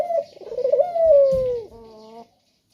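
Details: Male spotted dove giving one lure coo: a wavering, pulsed start that settles into a smooth, slowly falling tone, ending in a softer trailing note, then silence.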